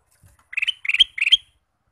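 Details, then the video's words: Male Ruby-throated bulbul singing all day, giving three quick bubbly phrases of liquid warbled notes, each ending on a higher clear note, in a quiet setting. "Kicau Burung Kutilang Emas: Gacor Sepanjang hari"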